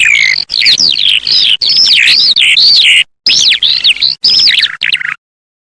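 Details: Eurasian skylark singing: a rapid, continuous stream of warbled, trilled and whistled notes, sweeping up and down in pitch with barely a pause, broken by brief gaps, clear and loud with no other sounds.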